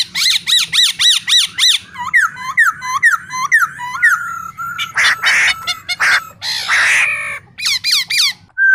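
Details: Male and female black-throated laughingthrushes, the male singing, the female calling, used to spur caged birds. Quick looping whistles and slurred notes alternate with rough rasping bursts, ending on a clean whistle.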